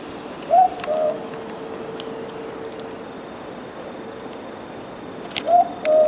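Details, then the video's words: Mopoke (Southern boobook) calling twice, about five seconds apart, each a paired boo-book with the second note lower and more drawn out, against a quiet hissy background with a faint steady tone. "The Sound of a Mopoke"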